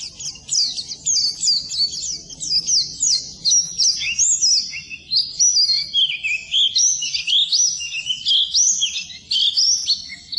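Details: Training song of an Oriental white-eye for birds reluctant to sing: extended high, rapid twittering with rising and falling slurred notes, continuous and loud.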